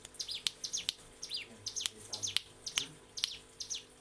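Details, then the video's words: Mountain prinia singing for a training recording meant for captive birds: rapid high chirps and downward-slurred notes, roughly two per second, mixed with crisp ticking clicks. "Masteran CIGUN ngebren"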